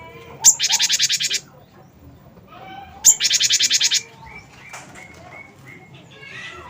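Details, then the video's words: Gelatik batu (cinereous tit), wingko kind, used to draw song from other birds: two harsh, buzzy rattling churrs, each about a second long and opened by a sharp click, separated by soft background chirps. "gelatik batu wingko gacor"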